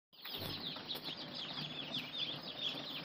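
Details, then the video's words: Ducklings calling with a dense, continuous chorus of high, thin peeps that overlap throughout, each a short rising-falling note, with no other clear sounds. "Anak Bebek ( Duckling)"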